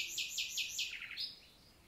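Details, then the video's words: Nightingale in a Lot countryside forest, south of France, on a summer morning in 2023: four rapid, full repeated notes followed by a quick tumbling run that slides downward and fades. "NIGHTINGALE MORNING SONG"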